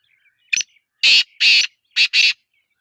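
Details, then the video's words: Black francolin in Sindh, Pakistan, giving a harsh, grating call: a short note followed by four loud rasping bursts in two pairs, all bright and high. "Kala Teeter sindh Pakistan"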